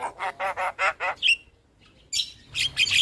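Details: Javan myna delivering five throaty, gurgling notes in quick succession, then a brief whistle, a pause, and a burst of high, squeaky chatter.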